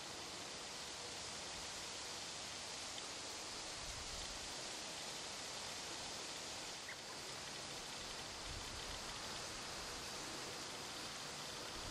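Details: Steady broadband hiss like rushing water or rain outdoors, with no animal calls.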